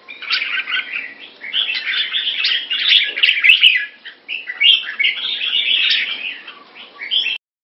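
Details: Red-whiskered bulbul in molt, Singapore, 4 June 2017: several rich, chattering warbled phrases with short gaps between them and a faint low click midway, against a quiet background.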